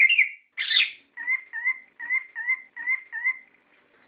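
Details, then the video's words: Orange-headed thrush lure song used to get caged birds singing: two rich warbled notes, then a steady series of six paired clear whistles, evenly repeated about every half second, with nothing else heard. "Pancingan Suara Burung Anis Kembang Gacor Ngeplong Ngerol"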